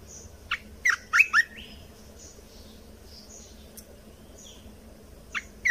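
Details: Lure song of a red-whiskered bulbul, meant for training chicks and stirring birds up: a brief cluster of three or four sharp warbled notes early on, then quiet with soft high tones and a single note near the end.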